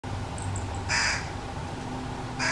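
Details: Fish crow from a family of fledglings being fed by their parents behind a backyard, where they are full-time residents; one short, harsh, nasal call near the middle and the start of another at the end, over a steady low hum.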